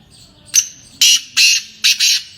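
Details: Sindhi black francolin (Kala Tetar) calling: a sharp opening note, then a loud phrase of harsh, grating, broadband notes, the last two paired closely together.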